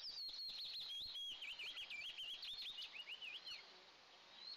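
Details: Eastern imperial eagle eaglets, two in a nest watched by camera, at their first feeding of the day, June 29, 2024: a fast series of high, wavering whistled notes sweeping up and down, about three per second, fading after three seconds.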